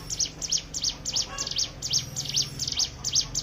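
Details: Fast, even string of piercing high notes from a Hill prinia, used as a lure for other birds to sing, over a low steady hum.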